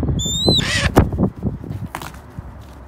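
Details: Wild Red-tailed hawk begging while waiting to be handed raw chicken: one short, high, wavering whistled note near the start, then thumps, rustling and handling noise.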